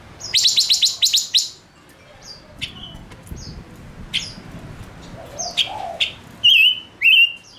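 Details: Male silver-eared mesia decoy bird opening with a rapid trill of about eight chirps, then scattered calls and two loud wavering, warbled whistles near the end.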